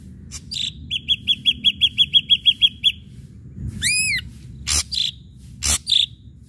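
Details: Ashy drongo lure song meant to set other birds singing. About ten quick identical notes repeat on one pitch, then comes one arched whistle, followed by scattered harsh bursts.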